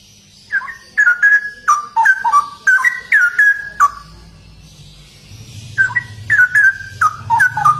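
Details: Straw-headed bulbul singing in gacor, ropel fashion: two lively runs of clear, mellow whistles with bouncing downward slurs, split by a short gap. A low rumbling hum sits beneath the second run.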